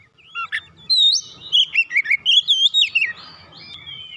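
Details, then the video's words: Oriental magpie-robin provoked into an agitated, heated state, unloading its isian repertoire: a rapid run of loud, varied whistled notes and sharp chirps, rising and falling, in a burst of about a dozen phrases, then a softer trailing warble. "memancing emosi Kacer langsung panas emosi bongkar isian"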